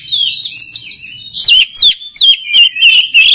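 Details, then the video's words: Oriental magpie-robin singing, a recording meant to train other magpie-robins: a fast trill of repeated chirps opens, then loud looping whistled notes come in quick succession. "SUARA KACER PALING DI CARI UNTUK MELATIH MENTAL KACER LAIN AGAR CEPAT GACOR"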